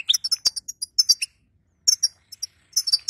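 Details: Female European goldfinch chattering, a recording meant to stimulate a weak male after moult: rapid high tinkling chirps in quick clusters, a sharp click near the start, a short pause, then another burst of bright twittering.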